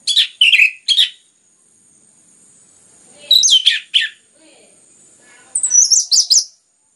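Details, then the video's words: Lure recording of orange-headed thrush, described as clear and densely sung to prompt other birds to sing: three bursts of fast, sharp whistled and chirped notes separated by quiet gaps, the last burst highest. "PANCINGAN anis merah ngeplong gacor rapat cocok untuk MERANGSANG bunyi tambah GACOR"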